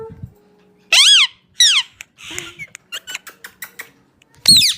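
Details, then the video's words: Pet parrot saying "mian mitthu": two squeaky, high, wavering syllables, then a burst of clicks and taps, and a final shrill squeak at the end, indoors. "parrot saying mian mitthu"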